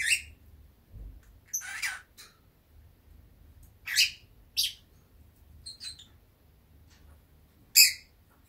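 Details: A pet masked lovebird, drowsy in warm sunny weather, gives scattered bursts of high, scratchy squeaks and chirps, about six short outbursts spaced irregularly over a quiet indoor background.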